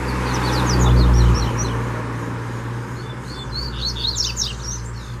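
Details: Double-collared seedeater in the wild bush: bursts of short, high, sharp chirped notes in quick series, set against a steady low rumbling hum.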